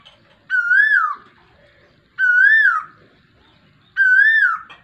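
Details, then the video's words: Koel heard in monsoon weather, 23 June 2022, giving three strong, evenly spaced rising-then-falling whistled calls roughly every 1.7 seconds, full-toned with overtones, over quiet low background noise. "koyal ke awaz Barish k mosam min"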